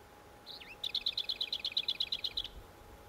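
Lesser whitethroat: a brief scratchy warble, then a dry, rapid rattle of about fourteen high notes on one pitch over under two seconds, against a faint steady hum.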